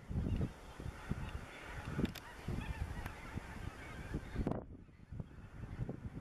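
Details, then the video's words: Greater white-fronted geese calling beneath a spring moon, Dannenberger Marsch, 25 March 2013; scattered high yelping goose notes mixed with deep thumping low noise, the upper sounds dropping away abruptly near the end. "Blässgänse unterm Mond - Geese"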